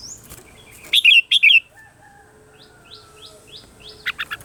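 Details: Morning song of a red-whiskered bulbul, used as lure audio for voice training: two loud, rapid, slurred chirpy phrases, then softer repeated downslurred chirps from other birds and a final trio of sharp notes.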